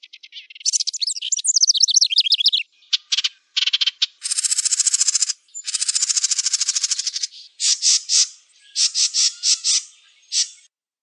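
A wren pours out a loud, high song: warbling twittered phrases, then dry buzzy rattles and bursts of rapid repeated notes, with no other sounds.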